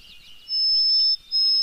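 White-throated Sparrow song fragment: two long, pure, steady high whistles held on one pitch with a short gap between, over faint background hiss.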